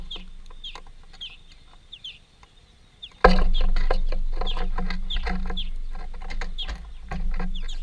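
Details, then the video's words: Greenfinches, a family group eating at a workplace, give quick high downward-sliding notes several times a second, while a loud low hum and rumble start abruptly partway through. "Greenfinch family"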